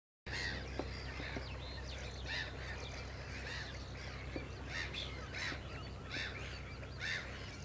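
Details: Pied avocets at Rye Harbour Nature Reserve give clear, fluted 'kluit' notes, repeated about once or twice a second, over a steady low rumble of wind.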